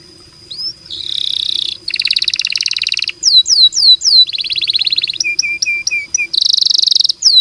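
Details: Canary in long, active song meant for tutoring other canaries: a steady high whistle, then buzzy rapid rolls, a series of loud upward-swooping whistles, clipped chip runs and a bright trill, all very high pitched and clean.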